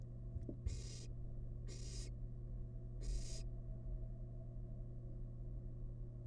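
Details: Wild barn owl chick in a monitored nest box, feeding on rabbit leftovers, gives three harsh breathy hisses about a second apart over a steady low electrical hum.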